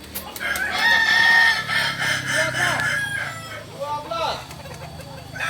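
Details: Crowing practice of Kokok Balenggek roosters in Amko, Solok city: a held, steady crow in the first seconds, then fainter wavering crows from other birds over a low engine-like hum.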